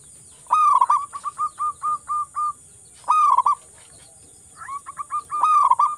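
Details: Local wild-type zebra dove singing to coax other doves: three rolled cooing phrases, each followed by a series of short regular coos, over constant high hiss.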